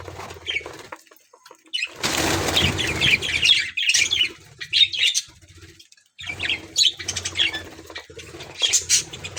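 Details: Caged budgerigars in an aviary, a colony playing and feeding: bursts of chirping and squawking warble broken by short pauses, with a loud rush of flapping wings or rustling near the start.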